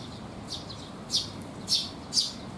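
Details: Sparrows visiting a feeding spot on a rainy day, 19 June 2021; three loud, bright chirps ring out about half a second apart after softer twitters, over faint rain.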